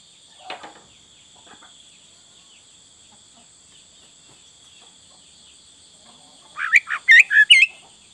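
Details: Sooty-headed bulbul, full isian song: several quiet seconds with a faint rustle, then a loud burst of five quick, sharply rising and falling chirpy notes at the end. A thin steady high hum persists.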